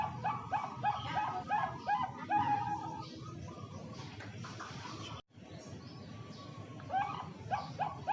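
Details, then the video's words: Bangkok zebra dove raised for song contests in Jepara, Central Java: rapid repeated cooing phrases for about three seconds, a stretch of background hiss and a brief dropout, then the staccato cooing resumes near the end. "Perkutut bangkok suara merdu"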